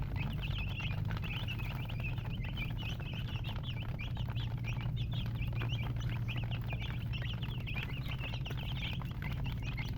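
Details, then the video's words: Chicken chicks peeping in a group: thin, high, downslurred chirps in a steady overlapping chorus over a loud low droning hum. "Baby "Chicks Chirping" Sound"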